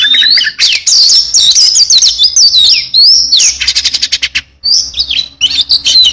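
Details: Oriental magpie-robin song loaded with varied material: looping whistled slurs, quick rising sweeps and a burst of rapid buzzy clicks, then more bright whistles.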